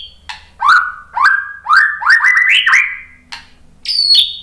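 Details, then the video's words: White-rumped shama song used to draw song from other shamas: a series of mellow, rising whistled notes that climb step by step in pitch, then a pause and a sharp, high, ringing note. Quiet background. "suara MURAI BATU Untuk Memancing BUNYI biar ikut GACOR NGEPLONG"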